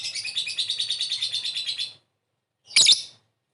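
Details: Lovebird calling with a ngekek trill to lure a quick reply: two seconds of fast pulsing high chatter, a short silence, then one harsh squawk.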